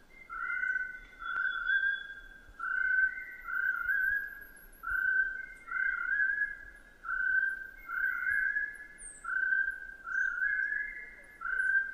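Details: Chestnut-breasted partridge singing, a species that calls throughout the day: a steady series of paired whistled notes, roughly one pair every two seconds, each note level and mellow with a slightly higher second part; faint high bird chirps above.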